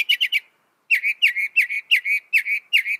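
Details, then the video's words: Mimicking northern mockingbird: a quick triple chirp, a pause, then six identical down-slurred whistled notes repeated about every third of a second, clean and loud. "Masteran suara burung NORTHERN MOCKINGBIRE bisa merekam 200 suara"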